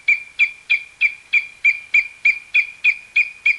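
An eagle gives a steady series of sharp, high, piping notes, about three per second, each clipped and evenly spaced, with no other sounds.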